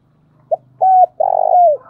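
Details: Decoy spotted dove: a brief soft note, a level coo, then a long loud coo that sags at its close, all low and mellow, with a faint low hum behind.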